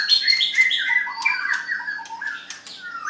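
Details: White-rumped shama in a singing contest, pouring out a fast run of rasping squawks and whistled slurs in quick succession.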